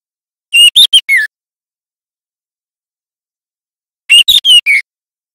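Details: Young White-rumped Shama (murai batu trotol) learning its song, loud and clear, used as lure and training audio: two short bursts of four high whistled notes, about three seconds apart, with silence between.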